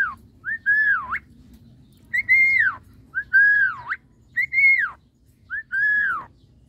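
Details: Caged semi white-eyed Javan myna, singing while bathing, repeats a clear whistled phrase five times, about once a second: a short lead-in note, then a long slurred whistle that dips and rises again.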